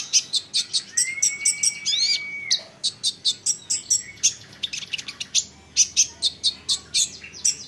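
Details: Olive-backed sunbird song used to get other sunbirds answering: brisk, shrill chips about two per second, with a drawn-out level whistle and rising slurs near the start.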